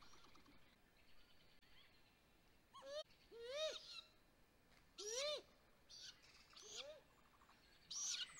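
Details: On May 12, 2020, at a great grey owl nest where the male brought six prey items, clear upward-sweeping whistled calls come in short bursts, mixed with harsh hissy screeches.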